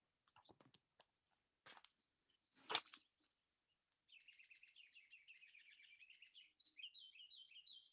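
Ruby-crowned Kinglet song: a few scattered high notes and a sharp burst, then a thin sustained whistle and a long rapid run of bright repeated high phrases.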